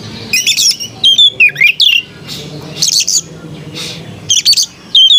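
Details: White-rumped shama delivering short bursts of chattering notes and swooping whistles, phrases spaced by brief quiet gaps.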